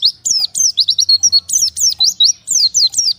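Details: An oriental white-eye apart from its colony calls to flockmates with a lively run of high, sharp, down-slurred and rising chirps in steady quick succession.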